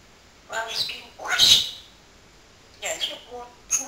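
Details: Pet talking parrot producing speech-like utterances: two quick voiced syllables, a loud breathy rasping phrase, then more short word-like sounds after a brief gap.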